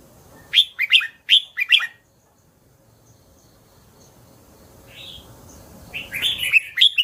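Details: Red-whiskered bulbul singing a quick burst of four loud, clipped warbled notes, a pause, then a softer phrase and a final run of bright chirped notes.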